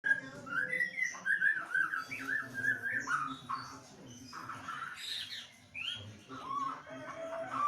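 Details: Kept white-rumped shama (murai) during lockdown, singing a rich, varied run of fluid whistled phrases and short trills that change pitch rapidly, with brief pauses; a soft low hum underneath.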